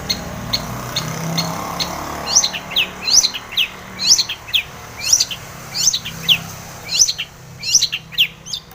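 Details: Long-tailed shrike, locally cendet or pentet, singing to provoke other birds: soft chips at first, then loud paired notes with a sharp high upward whistle and a lower downslur, repeated roughly every 0.7 seconds.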